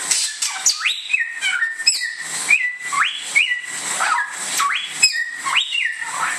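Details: Indonesian bare-throated whistler (samyong) with strong rising whistled notes followed by level tones, repeated rhythmically around once a second, mixed with sharp clicks, dense high chirping and steady background hiss.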